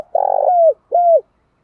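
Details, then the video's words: Spotted dove cooing used as a lure to stir fighting and calling: a long buzzy, rolling coo gliding down into a smooth whistled tail, followed after a short gap by one clean, level coo, then silence. "cu gáy, cu cườm thúc đấu và gáy gọi"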